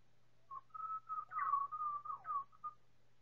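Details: Four Pied Butcherbirds singing in chorus, time-stretched several times: a slow run of clear, flute-like whistled notes, mostly level with a few bending slurs and a brief rising flourish near the middle, over a faint steady low hum.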